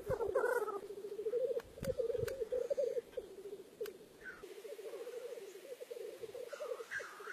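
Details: Black grouse displaying at the lek, a steady bubbling, rolling coo pulsing for several seconds, with a few sharp clicks, brief hissing sneezes and faint whistled notes over it.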